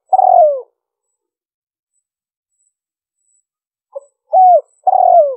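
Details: Lure recording of a spotted dove: a low drawn-out coo falling at the end, a long silent gap, then a short note, a curved coo and a longer descending coo, all clear and uncluttered.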